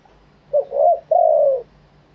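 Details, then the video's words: Live wild-style cooing from a spotted dove. One complete phrase runs from a brief note into a smooth double-toned note, then a long, mellow, gradually descending coo, against a quiet background. "เสียงนกเขาใหญ่ ขันสด คารมป่าแท้"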